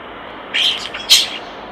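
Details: Loud, buzzy and harsh notes from a common starling by its nest box, a grating phrase followed by a sharper, brighter squawk, over faint hiss.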